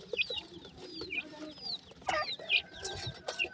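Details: Francolin chicks of a new dakhni teetar pair give clear, thin downward-sliding whistles, spaced out at first, then crowded together, over faint rustling.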